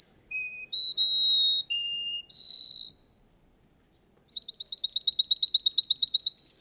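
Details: Russian canary performing at a singing contest: a series of steady whistled tones at shifting pitches, a buzzy sustained note, then a fast pulsing trill of repeated chips.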